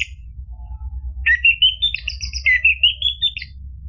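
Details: Orange-headed thrush song used to coax a silent bird into singing: after a short pause, a sweeping rising whistle leads into a long fluid run of warbled, slurred notes with wavering pitch.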